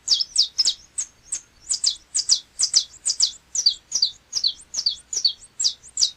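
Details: A Saffron Finch, known in Brazil as canário-da-terra, sings a sustained sequence of rapid, high, falling chirps. Paired notes repeat more than twice per second throughout, over a quiet background.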